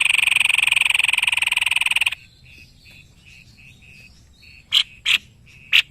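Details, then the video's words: In Indonesia, a white-bibbed babbler kept as a master songbird gives a rapid buzzy pulsed trill for two seconds. Soft short level whistles follow, then three sharp loud chips near the end. "BURUNG MASTERAN GACOR SEPERTI INI.JENIS TEPUS LEHER PUTIH"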